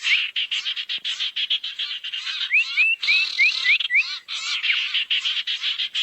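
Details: Barn owl lure recording meant to draw owls together: harsh, hissing screeches in rapid rough bursts, several per second, with thin rising whistled notes laid over the middle.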